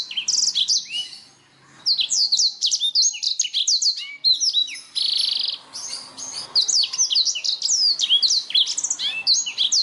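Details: Canary singing as a stimulus track meant to make other songbirds more active: a near-continuous torrent of fast, varied high chirps, slurred whistles and buzzy rolls, broken by brief gaps around two and four seconds.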